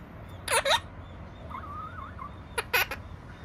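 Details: Opaline monk parakeet kept as a pet giving loud, scratchy double squawks near the start and again near the end, with a thin wavering whistle-like sound between them.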